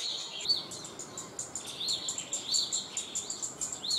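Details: Cit kemade bird in its natural wild habitat, active: short arched, high whistled notes repeated about every half second, over a dense background of fast, thin high chirps and ticks from other calling birds.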